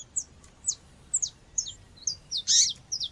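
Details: Female seedeater (coleiro or papa-capim) calling to stimulate males, mixed with nature sound: short, high, clean chirps, each a quick sweep, spaced about every half second. A louder, broader burst from another bird sits near the end.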